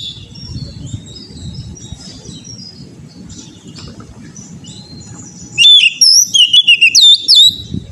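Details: Oriental magpie-robin, an untrained bird used for song training: several seconds of soft background rumble and faint distant chirps, then a sudden loud run of sharp, sweeping whistles in quick choppy phrases.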